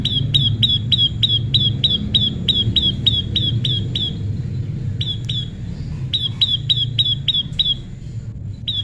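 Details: Tame prinia during natural pairing: long, fast, even runs of sharp, down-slurred chirps, roughly three to four per second, broken by brief gaps, with a steady low rumbling noise beneath.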